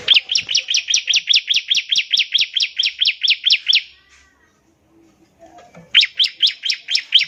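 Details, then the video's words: Bar-winged prinia (ciblek) trilling ngebren to get other prinias singing: a long even run of about sixteen sharp rising chirps lasting four seconds, a pause, then another run of quick chirps. "NEMBAK NGEBREN untuk pancingan ciblek semi agar cepat bunyi"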